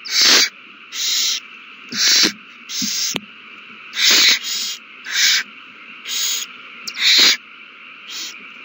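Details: Owls at the nest in a prey frenzy after one passes a mouse to another, 21 March 2020: about ten short, harsh hisses at an uneven pace, mixed with scattered sharp knocks and clicks.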